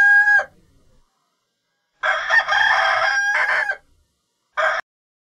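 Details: Chicken crowing in separate bursts: the clipped end of one crow, a pause, then a full raspy crow lasting nearly two seconds, and a short final burst, with silence in between.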